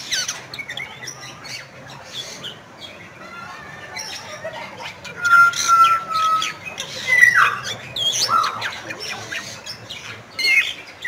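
Bali myna chattering: after a quiet start come harsh squawks mixed with clear, level whistles and quick sliding notes in an irregular burst.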